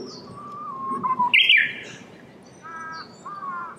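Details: Japanese bush warbler singing among cherry blossoms in Saitama Prefecture, Japan, in March 2019: a sustained, level low whistle, then a quick, bright, higher flourish. Afterwards come shorter, layered tonal notes, with faint outdoor background.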